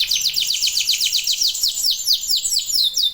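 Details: Local domestic canary singing hard as a lure to stimulate other canaries: a steady run of rapid, high downward-swooping notes, about four each second.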